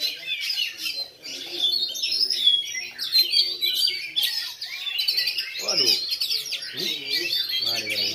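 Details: At a practice bird-singing contest in Lhokseumawe on 9 January 2022, a black Oriental magpie-robin sings in bowing style; varied warbled whistles, quick chirps and sweeping notes overlap with other songbirds, and low human voices appear near the end.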